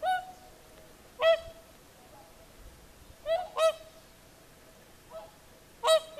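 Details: At sunset on Lake Saimaa in Finland, whooper swans give resonant trumpeting honks, single and paired, every second or two, with softer distant swan calls between them against a quiet lakeside background.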